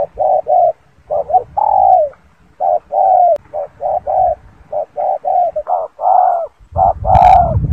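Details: Long series of low spotted dove coos, short clipped notes alternating with longer drawn-out ones in irregular groups, ending with a dull thump and low rumble.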